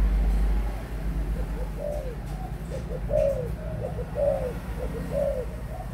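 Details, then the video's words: Adult spotted dove cooing steadily: four phrases, each a couple of clipped notes leading into a longer rounded coo, spaced about a second apart, over low background hum. "cu gáy trưởng thành"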